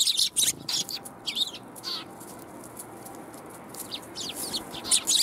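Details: Sparrows visiting a Tenmangu shrine on 1 January 2021 to be fed. Clusters of high chirps come at the start and again at the end, with quieter scattered notes in between.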